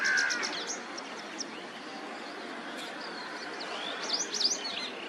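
White-browed wagtail opens with a strong, clear whistled note, then gives scattered thin, high chirps over a steady hiss of background noise.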